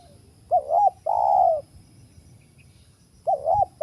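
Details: Wild spotted dove coos near a trap site: a short two-part wavering note, then a long steady low note, and the phrase starts again after a pause.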